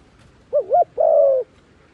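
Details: Wild-dove lure call from a decoy dove: two quick arched coos run together, then one long level coo lasting about half a second.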